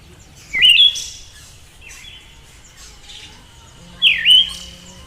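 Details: Female Siberian thrush giving two sharp, high twisting whistled notes with buzzy trailing tails, about three and a half seconds apart, with a faint steady low hum behind.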